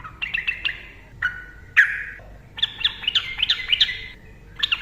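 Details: Sooty-headed bulbul in vigorous 'ropel' style song, used to provoke silent bulbuls into singing: bursts of bubbly, warbled whistles around mid pitch, one sustained whistled note near the middle, then a rapid chattering run of repeated notes.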